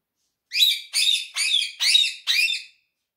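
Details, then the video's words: A friendly talking quaker parrot chatters five harsh, harmonic, word-like syllables, evenly spaced about half a second apart, with silence before and after. "quaker Talking parrot || speaking so lovely"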